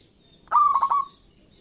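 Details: Bred local zebra dove with a strong, loud voice, used as a song lure: one clear coo starting abruptly, then breaking into three quick rolling pulses before trailing off, all in under a second.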